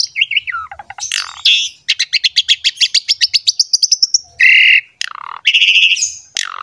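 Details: Asian pied starling (jalak suren) in strong, lively masteran song meant to prompt young, idle or wild starlings to sing: descending whistles, a fast run of rising repeated notes, then harsh buzzy bursts and sharp downslurred whistles.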